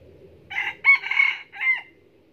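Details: Vietnamese decoy red junglefowl, a male noted for crowing often, from Bù Đăng district: three-part crow with a short lead-in, extended rasping centre and downward-curving end note; low-pitched background noise throughout.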